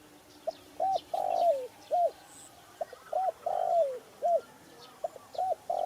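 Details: Spotted dove calling: a phrase of two or three short arched coos, then a long held coo sliding down at the end, repeated three times every two seconds or so, clear over a quiet background.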